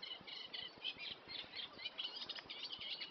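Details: Reed warbler heard from within reeds at Cosmeston Lakes, a noisy, continuous run of harsh chirps and churring notes repeated rapidly without pause.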